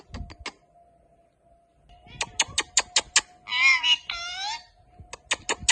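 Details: Talking Indian ringneck parrot kept as a pet, which is said to say Allah hoo and many more words: a series of sharp clicks and taps, then two raspy, voice-like phrases, then more clicks, over a low hum.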